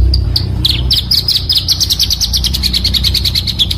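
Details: Pancawarna bird recorded for luring: spaced high chips quickening into a long, rapid, evenly pulsing high trill, with low hum underneath throughout.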